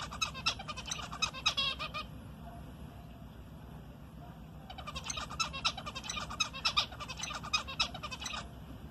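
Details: A pet zebra finch, with its owner talking to it, gives rapid, nasal, buzzy beeping calls in two quick bouts over a low background hum.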